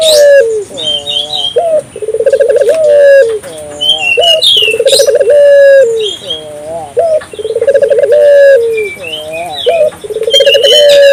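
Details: African collared dove calling persistently, used to stimulate local doves to call; about four rolling purred coos, each with a low rising lead-in and a drawn-out fall, alongside busy high chirping from other birds.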